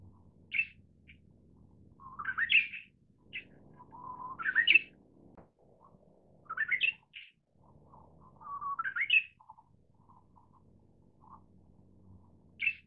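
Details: Manchurian bush warbler singing three times in about thirteen seconds: each phrase opens with a soft, low sustained whistle, then bursts into a quick rising, slurred flourish ending in bright high notes, with short separate chips between phrases.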